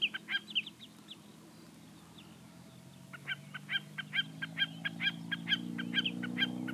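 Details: Common snipe giving a few scattered sharp notes, then a regular train of clipped, ticking calls about two per second; low droning hum rising in the background.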